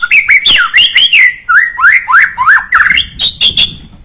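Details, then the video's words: Lure song of a White-rumped shama played to stir a young bird to sing: continuous varied whistled phrases, rising and dipping slurs strung rapidly together, with some higher sharp notes near the end. "Pancingan Murai batu paud agar emosi"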